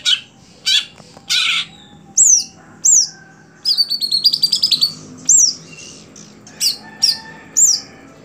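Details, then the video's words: Greater green leafbird in a cage, kept for songbird competitions, mixes harsh rasping notes, a fast stuttering rattle of about a dozen pulses, and sharp arched whistles spaced roughly half a second apart. "Ketika Cucak Hijau Sudah Tidak Jalan Gantangan"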